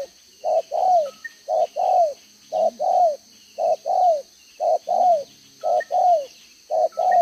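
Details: Spotted dove decoy bird from Vietnam with a two-row spotted neck collar, giving 'đồng gáy 1 hậu' coos, 11/6/2023. A steady series of two-part hoarse coos, each ending in a falling drawn-out note, about nine pairs in sequence, with faint thin whistles behind.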